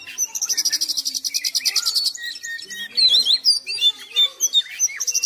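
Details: Nonstop singing by an Oriental magpie-robin: two seconds of rapid, rattling buzzy trill, a brief level whistle, then loud jumbled whistles, upslurs and sharp chips, ending as the pulsed trill starts again.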